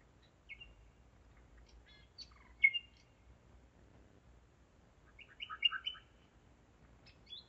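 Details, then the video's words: Nightingale song at night, 01:55, 5 May 2017, Zeitz, Germany: scattered clicks and whistles, a single loud note, then after a quiet gap a dense chattering burst of jumbled notes. "Gesang der Nachtigall - Song of the nightingale"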